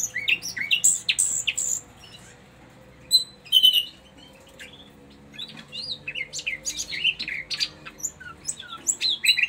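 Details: Common nightingale, a caged bird presented at a bird market, sings varied bursts of sharp chirps, pure whistles and quick trills, broken by short pauses, over a faint steady low hum.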